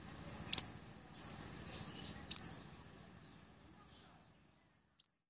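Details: Two loud, sharp, very high chips about two seconds apart, then a softer third tick, from a blood-breasted flowerpecker in a song recording for tutoring captive songbirds and attracting wild birds.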